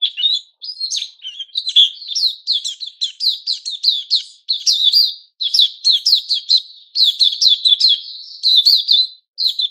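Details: Moulting white-crowned shama, locally Puteh Raja, recorded 6 September 2021, delivering an unbroken torrent of varied whistles, trills and chattering notes, phrases following each other almost without a break.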